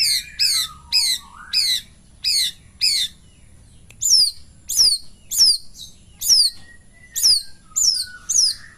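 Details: Long-tailed shrike, called Cendet Pastol, in the morning: clear, high notes that slide steeply downward, repeated at a steady pace of about two per second, with a few softer low whistles between them.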